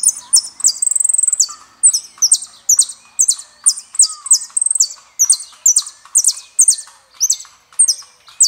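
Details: Saffron finch from Argentina singing El peregrino: a brisk series of high, sharp, sweeping chirps, each phrase roughly half a second apart, with a short rapid trill early on.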